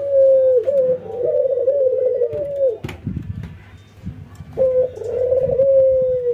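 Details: A white albino ringneck dove and a local ringneck dove in a training session, nodding and laughing; a long rolling coo, a pause filled with faint knocks and rustling, then another coo starting with a clear note.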